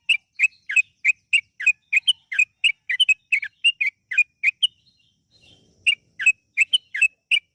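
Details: Lure recording of yellow-vented bulbul, meant to set birds singing in a lively, long, rapid style. Rapid sharp chirped notes repeated about three per second, with a brief break near the middle before the series resumes.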